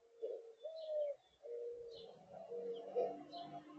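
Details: Mourning dove at a feeding spot: soft, low, smooth hooting coos drawn out in long notes, with faint high chirps from other birds scattered above.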